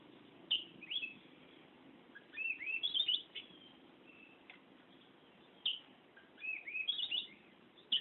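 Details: Oriental magpie-robin (kacer) in ngerol song: sharp high clicks and short warbled phrases in several separated bursts over a faint steady low hum.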